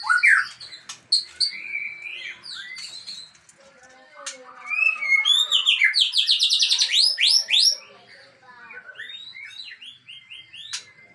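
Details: White-rumped shama of the Aceh type pouring out its learned repertoire: rapid varied whistles, slurred rising and falling notes and a dense burst of quick repeated upswept phrases midway, with brief sharp clicks between.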